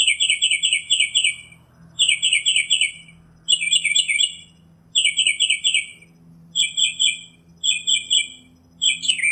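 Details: Rapid chattering trills from a northern mockingbird, grouped into repeated bursts of quick stuttering notes with short gaps, with a few varied sharp notes near the end.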